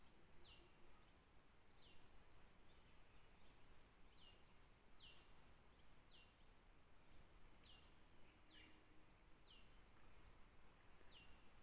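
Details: Fork-tailed drongo-cuckoo (Surniculus dicruroides) in Tansa Wildlife Sanctuary gives thin, high whistled notes that slur downward, repeated about once a second over a steady low background rumble.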